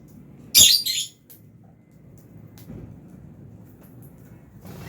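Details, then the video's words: Fischer's and albino lovebirds eating food in an aviary. A shrill, squeaky double chirp comes early, followed by quiet rustling and soft ticks over a low hum, with a faint call at the end. "Lovebirds Chirping Sounds"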